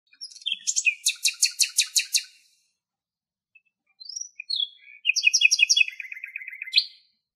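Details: Common nightingale singing in Greek nature: a fast burst of about eight loud, even, rattling notes, a pause, then a new phrase opening with thin rising whistles and running into a rapid high trill; clean, quiet background.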